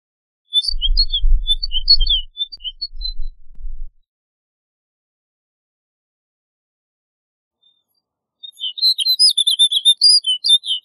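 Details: Snow bunting singing a twittering phrase of quick high chirps, then after a long quiet gap a denser, evenly repeated series of sharp high notes; low rumble accompanies the first phrase.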